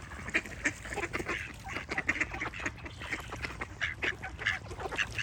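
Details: Ducks quacking, a busy chorus of short harsh nasal quacks overlapping almost continuously, some louder calls standing out near the start and end, over a steady low background rumble.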